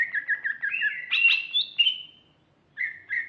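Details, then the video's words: Female greater green leafbird giving quick repeated chirps, then a rising and strongly inflected whistled flourish that trails off, followed after a pause by two more short chirps. "kicau Cucak Ijo ( betina )"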